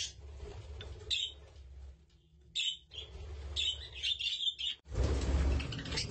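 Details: Budgerigars with their chicks: intermittent high chirps and warbling twitters, some quiet gaps, ending in a louder rush of broadband chatter.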